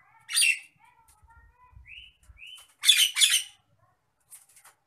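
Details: Nias hill myna in an agitated mood, kept as a training sound for other birds. Short rising whistled notes sit between loud, raspy, broadband bursts, with a few soft low thumps beneath.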